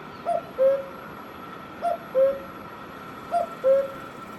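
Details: Himachal Pradesh, India: a cuckoo sings three evenly spaced cu-ckoo calls, each a short upper note dropping to a longer lower one, about every one and a half seconds, with a quiet steady hum underneath.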